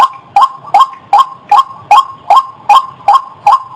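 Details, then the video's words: White-breasted waterhen call for luring birds: nine or ten short, rasping notes evenly spaced about 0.4 seconds apart, clear and loud. "SUARA BURUNG RUAK UNTUK PIKAT"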